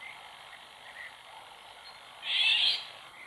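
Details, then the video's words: Female Eurasian golden oriole in the wild near a pond gives one harsh, rasping, cat-like screech of about half a second, over a steady high background hiss. "LORIOT d'EUROPE, cris"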